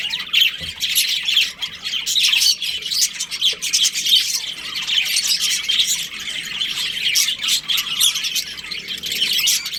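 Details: Budgerigars in a breeding colony, many birds at once producing a rapid stream of high chirps, warbles and scratchy squawks that never stops.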